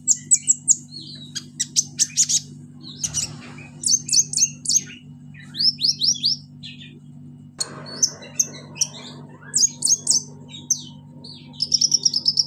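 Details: Pygmy cupwing (konin) with high, varied chirps and short whistled notes in quick bursts, separated by brief pauses, over a steady low electrical hum.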